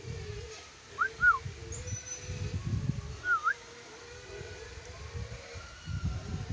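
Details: Sulawesi lory whistling a quick pair of short, clear, arching notes, then a single rising whistle after a pause. Low rumbling background noise continues throughout.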